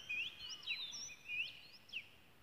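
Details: Wild oriental magpie-robin in Malaysia giving a loud run of varied whistled notes, some rising and some sharply falling, over faint low background noise.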